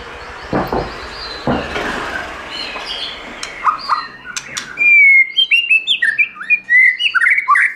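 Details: White-rumped shama singing in the forest-voice style, recorded for voice training and to excite other shamas: rough noise and faint notes first, then clear high whistled phrases of sliding, rising notes.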